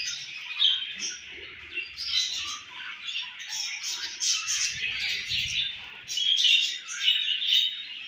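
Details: Home-bred budgerigar group with a baby bird, pets: busy twittering and scratchy warbles that rise and fall in loudness, with sharp squeaks bursting out in the later half.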